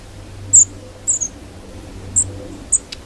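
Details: In winter, a flock of Long-tailed tits at a suet-cake feeder in a UK garden gives five very high, thin, short notes, spaced irregularly over three seconds, over a faint low hum. Pecking and chasing suggest a minor dispute over position.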